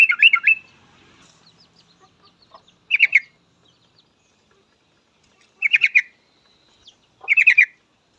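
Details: Yellow-vented bulbul, a lively singer used as a lure to get other bulbuls singing: short bursts of rapid, chattering bubbly notes, each about half a second long, repeated every two to three seconds with quiet gaps between.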